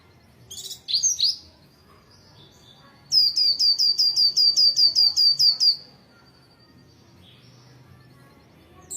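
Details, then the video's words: Oriental white-eye in lively morning song, wild forest style: a few high chirps, then a fast, even string of about eleven bright, high, repeated notes lasting nearly three seconds, followed by quiet. "Pleci gacor ngalas pagi hari"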